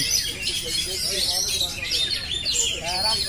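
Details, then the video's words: Oriental magpie-robin in nonstop song, a thick stream of high squeaky whistles and quick trilled notes, with faint lower warbles underneath. "kacer phonix ngerol abis"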